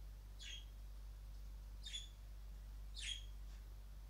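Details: A 7-month-old widowed male budgerigar, whose mate died five days earlier, gives three short, harsh, scratchy chirps about a second apart while flirting with a new female.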